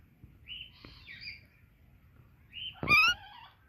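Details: Pet Indian ringneck parakeet chirping together with an Alexandrine parakeet: two short squeaky rising whistles about two seconds apart, the second ending in a loud harsh squawk.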